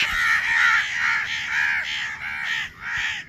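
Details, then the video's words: Baby house crow making a rapid run of hoarse, nasal caws, about seven short calls in three seconds, evenly loud and overlapping. "Baby Crow sound || crow bird crowing sound || crow ki awaz naturally"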